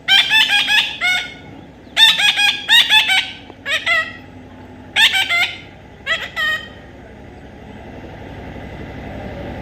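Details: Baby parrot being tamed: bursts of rapid, harsh, rasping squawks, each run of several notes lasting about a second, coming in five groups with short pauses, then a steady low hum and faint background noise.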